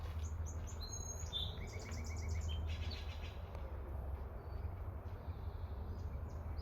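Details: Steller's jay in British Columbia, Canada, giving a quick run of repeated harsh notes with stacked overtones, about eight in under a second, among thin high chirps from other birds over a steady low outdoor rumble.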